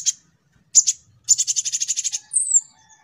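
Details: Young sunbird (kolibri ninja) training lure: scattered high chips, then a fast, busy run of sharp high notes ending in a thin, sweeping whistle.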